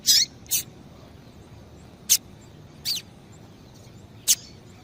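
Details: Calling female double-collared seedeater, played to warm up and stimulate a cold male: five brief, very high chirps and ticks scattered irregularly, some buzzy, against quiet background hiss.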